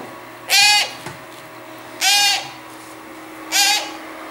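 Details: Young hand-reared Congo grey parrots (Psittacus erithacus) give three harsh, rasping calls, each about a third of a second long and spaced roughly one and a half seconds apart, over a quiet hum.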